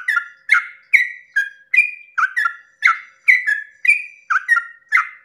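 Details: Dawn song of a sooty-headed bulbul in long 'ropel' style, meant to provoke rival bulbuls to join in: fast chain of bubbly whistles, each slurring downward after a gritty attack, nearly three notes per second, no other sounds.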